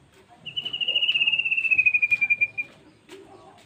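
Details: White-rumped shama (murai batu) gives one long rattling trill of about two seconds that slowly falls in pitch, followed by quiet background sounds.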